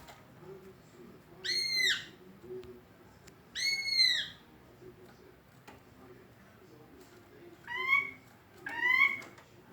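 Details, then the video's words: Greater green leafbird with an unusual voice gives slurred, arched whistles, dropping at the ends, spaced two to four seconds apart: two fuller notes, then two thinner, higher ones. "Cucak ijo suara aneh tapi ngetrend"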